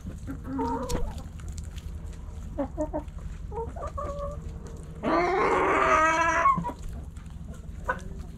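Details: In a backyard flock, hens give short, clipped harmonic clucks. Then a rooster crows for about a second and a half with a loud, harsh, strongly harmonic cry before the clucking resumes.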